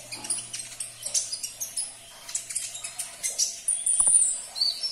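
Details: Dense, very high twittering from a sunbird, used to encourage a caged sunbird to respond: fast scratchy chirps run together, ending with a drawn-out piercing whistle.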